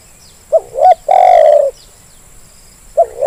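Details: Zebra dove calling as a lure for lazy birds, with two brief upward notes, then a loud purring coo lasting about half a second, and the next phrase starting after a short gap; insects faint behind.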